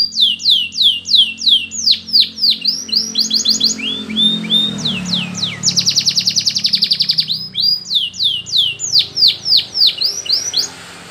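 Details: Singing canary, a recording meant for training canaries: sweeping high notes rapidly repeated, broken by quick chattering bursts and a dense fast trill midway, then more downward-sweeping syllables; a faint low hum runs underneath.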